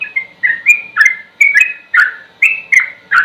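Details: A sooty-headed bulbul gives its ropel song, slow but dense, for tutoring: steady rich whistled notes, some level and some falling, run together with brief gaps and light high ticks.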